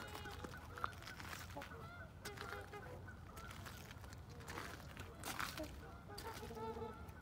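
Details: Flock of trumpeter swans in Hudson, Wisconsin, March 3, 2021: many overlapping nasal, horn-like honks from several birds, some nearer and louder, with a few sharp clicks and a low background rumble.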